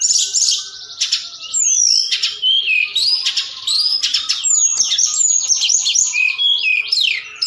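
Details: Forktail sounding at night to provoke other birds into calling: a continuous high, varied stream of rising and falling slurred whistles and buzzy chatter.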